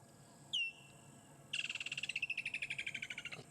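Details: A woodland kingfisher, just back, calls near resting lions at a waterhole on a sunset drive on 3 December 2016: one sharp high note, then a long, rapid, even trill of about twenty pulses slowly dropping in pitch.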